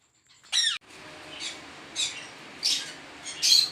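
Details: At a 400-pair ringneck breeding farm, a sharp, shrill squawk opens, followed by scattered fainter high screeches roughly every second over a steady hiss of background noise.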